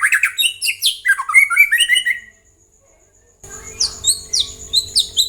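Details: White-rumped shama lure song, used to make other birds reply and sing: quick varied whistles and sliding notes, then a gap of silence and a burst of high chattering phrases over a steady hum.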